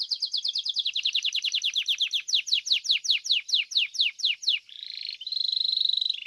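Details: Belgian domestic canary singing in competition: a rapid series of descending whistles, about six per second and slowing toward the end, followed by a smooth, sustained buzzy trill.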